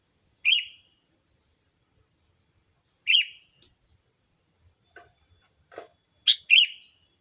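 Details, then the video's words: Harsh paired and single chirps of a sooty-headed bulbul, used as a lure for bulbuls, spaced a few seconds apart, with a few faint softer notes between them. "Suara Burung Pikat Kutilamg Masteran Paling Cocok Semua Jenis Burung Kutilang"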